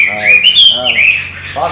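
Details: Pet Chinese hwamei, trained by its owner to fly back into its cage, from Vietnam's western region. It gives a brief, loud, rich whistled phrase with slurred notes rising and then falling, indoors.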